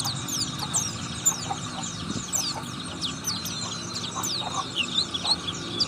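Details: Oriental white-eye pouring out a long run of quick, thin, downslurred twitters and chirps, about two notes per second in places, against a low hum.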